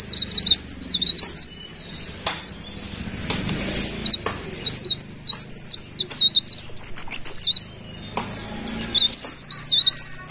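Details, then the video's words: Repeated lively song of a golden-bellied gerygone, or cikrak daun: several high, jittery whistled phrases about one to two seconds long, coming one after another with brief gaps. "Suara Burung Cikrak Daun Pare Pare Gacor"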